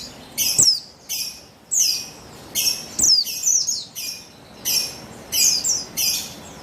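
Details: A female buxtoni Javan white-eye, recorded 3/8/21 to lure male birds into song, gives short shrill chirp bursts with falling slurs, repeated about every half to one second.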